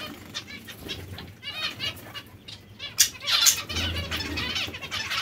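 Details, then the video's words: Breeding zebra finch pairs producing a stream of nasal, reedy notes and a couple of loud sharp calls midway, other birds calling softly with low fluttering. "Diamante mandarino/coppie riproduttive"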